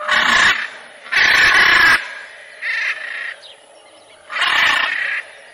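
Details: Macaw giving four loud, harsh, broadband squawks, each about half a second to a second long, separated by short pauses, with a faint steady high hiss behind.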